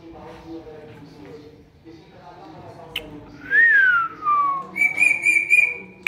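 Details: Pair of pet ringneck parakeets talking: low mumbled speech-like chatter, then a loud clear rising-and-falling whistle and a run of rapid high warbled notes near the end.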